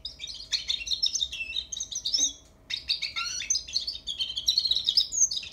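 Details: Young European goldfinch practising its song: rapid, tinkling twitters and chirps at a high pitch pour out in dense bursts, with a brief pause around the second mark before the warbling resumes.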